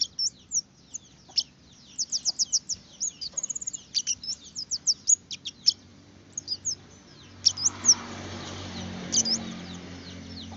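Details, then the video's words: Red-headed finch pouring out fast, high tinkling chirps in dense runs; after several seconds a rushing noise rises and the notes thin out into scattered chips. "PANCINGAN BURUNG KEMADE/BARET MERAH, SUPAYA CEPAT GACORR!!!"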